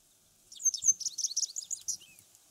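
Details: Japanese wagtail, often seen by water but also visiting residential areas, singing from antennas in warm weather; a quick run of high, sweet twittering notes ending in a thin descending slur.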